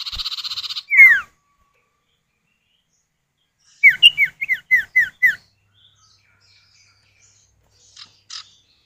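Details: Male and female common iora calling back and forth, used to lure other birds into song: a short pulsed buzzy trill and a quick downslurred whistle, a pause, then a series of about seven clear descending whistled notes, with faint chips afterwards.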